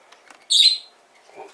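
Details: Young hand-fed sun conure at a pet shop in Fukuoka, Japan: a single loud, raspy high screech of about a quarter second, then quiet rustling.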